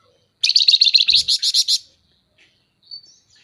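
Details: Scaly-breasted munia giving a lively 'nyerecet' call for tutoring and prompting other birds: one rapid rattling series of about a dozen harsh buzzy pulses lasting just over a second, then a thin high note.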